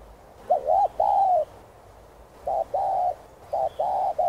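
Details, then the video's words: Spotted dove song, gù 2 style, played to urge wild-caught birds to coo: three hollow coo phrases, each a brief clipped note followed by a longer drawn-out, slightly falling coo, with short gaps between. "Chim Cu Gáy Thúc, Gù 2 Kích Bổi Nhanh Nổi.Tiếng Cu Gáy Giọng Hạp BổI.Cu Đất Gáy, Cu cườm"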